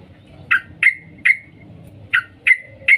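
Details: Female sooty-headed bulbul calling to the male: sharp, clipped "cuk" notes, given singly or in pairs about every half second, each a bright chip with a short trailing tone, over faint low background noise.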